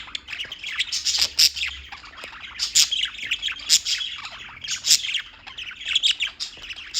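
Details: Birds chirping continuously in New York, a dense overlapping chorus of high, quick chirps and squawky notes packed closely together with no pauses, several birds calling at once.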